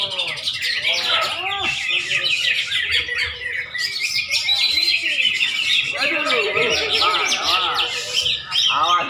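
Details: Greater green leafbird in continuous, rich song: rapid tumbling whistles, chirps and buzzy trills that run nearly without pause, with brief lower swooping notes and a burst of quick chatter near the end.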